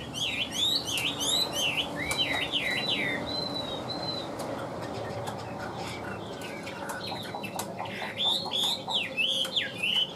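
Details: A caged, tame Chinese hwamei sings fast repeated whistled loops and trills, pauses with softer clicks, then resumes loud looping whistled phrases.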